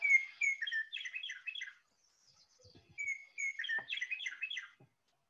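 Western Meadowlark song given twice: a few clear, flute-like whistles run into a quick, bubbling, gurgling jumble, each phrase under two seconds. A few faint low thumps come between them.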